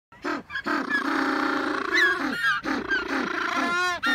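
African penguins bray loudly in harsh, donkey-like honks, with rich buzzy notes broken by brief wheezing gasps between phrases.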